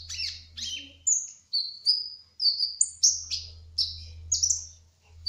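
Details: Kolibri ninja trotol (brown-throated sunbird) singing ngerol: sharp high chip notes followed by clear, level whistles repeated roughly twice a second, with a faint low hum underneath.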